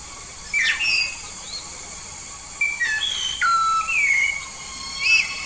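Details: Whistled phrases of a yellow-faced myna from Papua, a lively singer: a few scattered clear notes, one sliding downward and others flat or rising, separated by quiet gaps, with a steady high hiss throughout.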